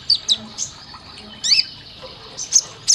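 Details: Sunbird song used to train caged birds: a few scattered, very high squeaky chips and a short buzzy upswept note, with brief pauses between.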